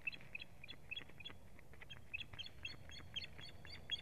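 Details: Female osprey under attack by strange ospreys at the nest, 1 May 2017, giving quick repeated high chirps in a steady stream over a low rumble of background noise.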